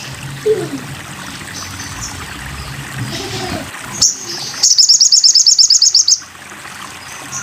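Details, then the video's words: Sogon bird on a masteran recording: after faint low sounds, a sharp chirp, then a short burst of high, buzzy, evenly spaced notes. "masteran burung sogon"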